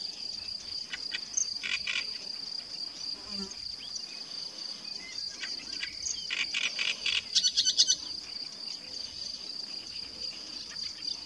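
Great reed warbler giving loud, harsh, grating bursts of chattering notes in short phrases, over a steady high-pitched insect drone.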